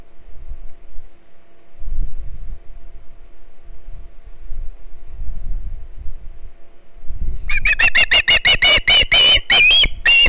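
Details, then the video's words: Juvenile Osprey at the Hog Island nest, 9 September 2019, begging as another fish arrives: after low rumbling and thumps, a sudden run of rapid, harsh, piping whistles repeated several times a second. "Another fish for noisy Halley! Hog Island Ospreys"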